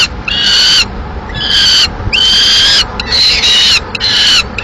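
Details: Male peregrine falcon delivers a live swift to the nest in Madrid, May 2016, and the female dispatches it; long grating notes repeated about once a second.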